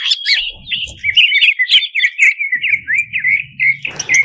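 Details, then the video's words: Greater green leafbird singing a varied, fully filled song used to provoke competition birds: rapid sweet whistles and slurred notes rising and falling, with brief sharp chips and some low background thumps. "Pancingan Cucak Cungkok Emosi"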